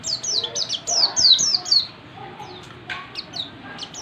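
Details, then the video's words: Oriental white-eye (pleci) learning the dense ngalas rapat song style: rapid series of high, thin, downslurred whistled notes, about six in quick succession, then a pause and scattered further notes over a low background hiss. "pleci belajar ngalas rapat"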